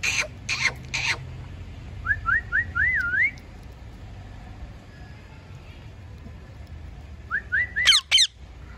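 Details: Talking parrot whistling a quick run of four rising notes, repeated about five seconds later, with harsh broadband bursts at the start and a squawky burst near the end, over low background hum.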